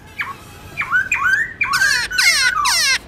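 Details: Black-throated laughingthrush with a morning forest-style song for tutoring young birds: short downward-sweeping notes building into loud, harsh rasping screeches repeated about twice a second.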